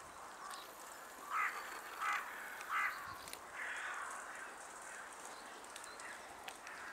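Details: European green woodpecker (Picus viridis) in Tivoli Landscape Park, Ljubljana, Slovenia, on 23 January 2024, calling: three sharp, ringing notes about two-thirds of a second apart, then a longer, drawn-out one, over a steady hiss of wind or distant traffic.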